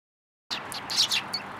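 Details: Sparrows trailing a person for food near a community hall, 26 February 2023, give a dense burst of bright, high chirps crowding over one another after a short silence.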